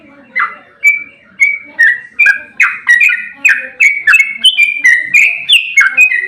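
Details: Sooty-headed bulbul, an aggressive fighting bird whose song is used as a lure to make other bulbuls answer: bright whistled notes stepping up and down, starting sparse and quickening into a steady chattering string.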